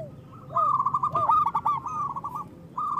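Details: Zebra dove song for prompting lazy doves to sing: a quiet lead-in, then a tumbling string of quick cooing notes with looping lower tones, fading before a fresh phrase begins.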